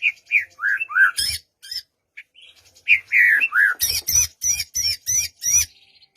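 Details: Song of the white-rumped shama, used to coax a quiet bird into song, morning or afternoon: rich downward-slurred whistles, then a quick sequence of sharp, harsh, repeated notes.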